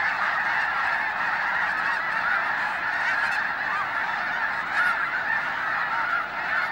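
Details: Snow geese calling en masse at the Hayton Snow Goose Reserve in Washington's Skagit Wildlife Area near Conway; a rolling chorus of honks with a few sharper calls breaking through, briefly swelling near the fifth second.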